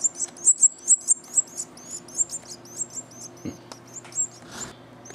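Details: Hand-reared canary chick during its first ten days out of the nest: a rapid series of thin, high squeaky begging notes, about two to three per second, fading and becoming sparser, with faint handling noises and a low hum.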